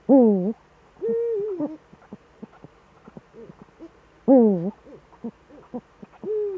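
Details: Two Eurasian eagle-owls back together in the Eifel, Germany, 18:47 on 11 March 2013. Hoarse wavering calls alternate with flatter arched notes, twice over, with scattered short notes and clicks between them.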